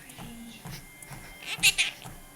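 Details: A pet Quaker (monk) parakeet perched on a treadmill while its owner walks and talks to it gives two quick, harsh, high-pitched word-like utterances after a quiet pause.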